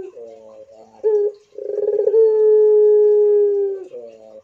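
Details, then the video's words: Pelung Barbary dove giving a short note, then a rolling bubbly start that settles into a long, even, low coo held over two seconds before fading. "MANGGUNG PUTER INI GACOR PLONG I PUTER PELUNG GACOR DOR"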